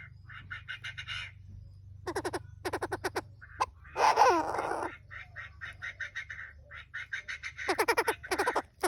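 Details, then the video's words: Chinese francolin pair, male and female, used as a lure: rapid clicking rattles and repeated harsh chattering notes, with one louder noisy screech in the middle, over a low constant hum. "Tiếng chim đa đa trống mái"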